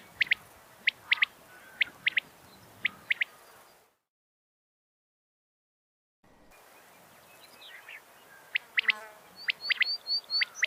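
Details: Common quail call used as a lure for trapping quail: sharp, high chirps in quick clusters of two or three notes, repeated about once a second, with a brief silent gap midway.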